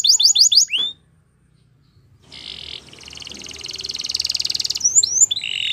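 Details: Canary song opening with quick repeated falling chirps, a pause, then a long harsh rolling trill over low background rumble, ending in rising whistled slurs.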